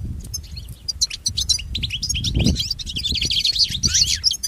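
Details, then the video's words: Pet-training goldfinch song: quick bright chirps accelerating into a fast tumbling twitter of liquid, swooping notes, about four elements per second, over faint low rumbling noise. "Listen to Goldfinch's most famous motivations for training and education"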